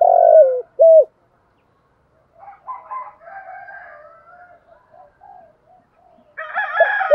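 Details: Decoy spotted dove cooing in the morning to draw wild doves: two low coos open, then quiet scattered chirps and twitters from other birds, before another coo begins under a burst of chatter.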